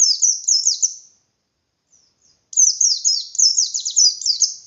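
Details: White-eye from Indonesia singing a persistent 'ngalas' song to provoke rival white-eyes: a short run of high, rapid downslurred notes, a pause with a few soft chips, then a longer dense string of chirps.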